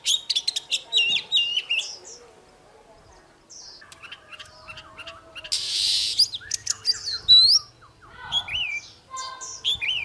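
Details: Oriental magpie-robin combat song in the morning, used to excite other birds: bursts of clipped high notes and squawky calls, a brief rushing noise midway, then bright rising whistles and slurred phrases.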